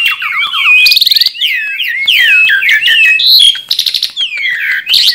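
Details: Tame Asian pied starling in full, vigorous song: a loud, varied jumble of slurred whistles, buzzy rattling bursts and chattering notes delivered without pause, bright and harsh in tone.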